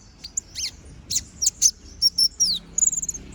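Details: Brown-throated sunbird singing vigorously in the lively chattering ngobra style with sharp shot-like notes, a master recording for teaching other birds; high thin chirps and quick downslurred whistles, then a fast twittering run at the end.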